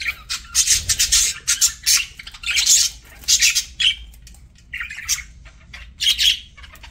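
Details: Budgerigar kept as a pet, eating: sharp, hissy crackles and short scratchy bursts in quick irregular runs, with some brief chirpy notes mixed in near the end.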